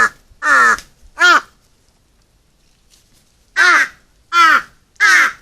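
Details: Crows gathered at feeding time, eating feed together: harsh, hoarse caws with rich harmonics, three spaced caws, a quiet pause of about two seconds, then three more caws in steady succession.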